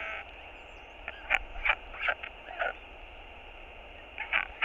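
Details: Northern royal albatross chick, hungry, begging its father for food at the nest: short harsh, nasal bursts in quick clusters with gaps between, over a steady low hum.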